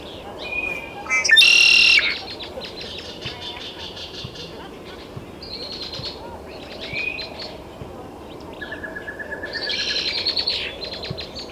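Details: Recorded in Taos, New Mexico on June 17, 2017, a great-tailed grackle mixes whistles with a loud harsh screech, softer buzzy phrases and a late, drawn-out rasping call.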